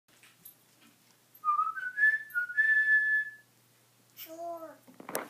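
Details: Pet male African grey parrot indoors giving his well-known "CHAR!" call: a clear whistled phrase of two or three steady rising notes, then lower warbling tones and a short burst of noisy sound at the end.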